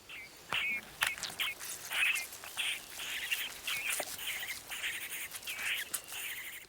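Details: In Spain at the foot of the Pyrenees, a young Great Spotted Cuckoo raised by carrion crow foster parents begs for food with harsh, rasping, high-pitched calls, repeated in quick bursts about twice a second, with faint background hiss.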